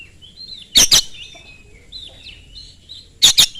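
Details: Oriental magpie-robin singing to draw other magpie-robins into song: soft wavering high whistles and slurred notes between two loud pairs of harsh rasping bursts, over faint low background hum.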